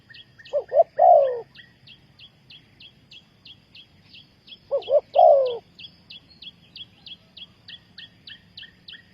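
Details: Spotted dove calling as a trapping lure: two well-spaced phrases, each a quick double coo and one long hoarse coo, over a low background hum and continuous high chirping.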